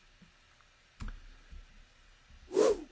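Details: Quiet indoor room tone broken by a sharp click, a soft thump and a brief rustling burst near the end.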